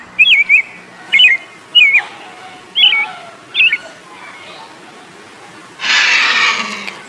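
A robin gives five short, high, twisting whistled phrases about a second apart, followed by a brief burst of hissing noise.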